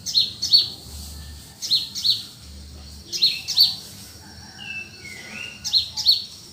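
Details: Early morning birds in the cool countryside: sharp high chirps in close pairs, repeated every second or so, with a lower whistled note sliding down midway, over faint low hum.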